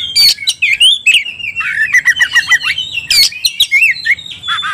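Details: Oriental magpie-robin stirred to fight, in 'ngobra' fighting style: a loud run of descending whistled notes and warbles mixed with harsh squeaky bursts, forceful and varied.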